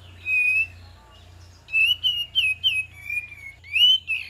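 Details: Kapas tembak whistling as a lure to prompt a reply. A held whistle comes first, then after a pause a rapid string of five or six clear notes ending in a louder rising slur, over a low hum.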